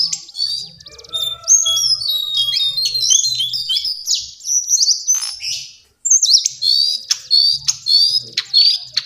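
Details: Lively high warbling from a lesser shortwing, with rapid whistled and slurred notes. The song breaks off for a moment and then resumes in sharp bursts, with soft low sounds beneath.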